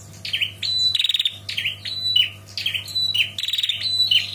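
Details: A female bar-winged prinia calls for a male with high, thin phrases of squeaky slurred notes and a sustained whistle, twice broken by a long, fast, dry rattling trill, with a faint low hum behind.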